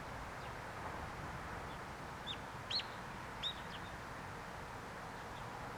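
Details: Olive-backed pipit in February 2022, filmed on a Sony a6600 camera: a few thin, sharp, high call notes, three clearer ones spaced about half a second apart mid-clip, with fainter notes around them over a steady background hiss.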